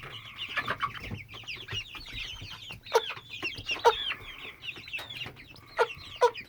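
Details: Hen aged 10–12 weeks that began a constant, unceasing sound on May 22, 2017, otherwise behaving normally; a sustained humming tone runs beneath busy chirping, with sharp clicks or knocks at intervals.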